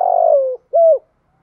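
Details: Female decoy spotted dove calling to provoke males, a 'gọi 1 hậu' style: a long, slightly buzzy coo sliding downward, then a short clear rounded coo after a brief pause, on a quiet background.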